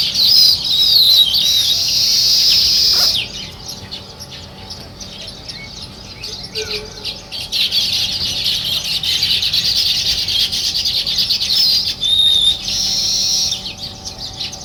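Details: Sparrows in a morning chorus where weaver birds build nests, bursts of intense high chattering alternating with softer stretches of scattered chirps.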